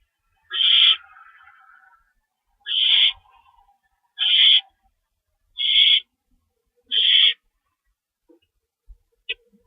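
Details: Owl calling from a lookout around 12:14 AM, March 24, 2012, following a chase of a mystery owl: five raspy, breathy screeches spaced roughly every one and a half seconds, then near silence with faint clicks.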